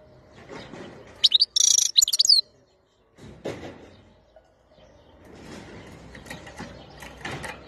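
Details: Wild-type European goldfinch, 2021, giving one short burst of fast, high, tinkling twitters and trills. Scraping or rustling handling noises and low background sounds follow.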